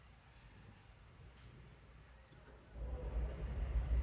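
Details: Steady low rumbling noise, like a vehicle or machine, growing louder and heavier after about three seconds, with no animal voice heard.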